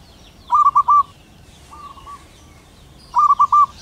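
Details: Male zebra dove, wild local bird, calling a female with lively song: three short rolling notes run into a longer coo, a softer single coo follows, and the rolling phrase repeats about two and a half seconds later.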